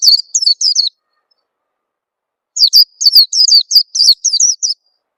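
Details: Lure call of an Oriental white-eye for bringing young birds into song: a short cluster of high twitters, then a longer rapid series of downslurred chirps, with clean silence between.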